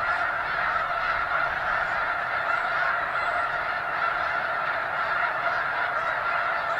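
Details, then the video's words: A huge flock of snow geese, thousands strong, at a Washington wildlife refuge headquarters unit: constant overlapping honks and yelps blending into a steady chorus, with occasional sharper individual calls rising above. "Thousands of Snow Geese at McNary National Wildlife Refuge"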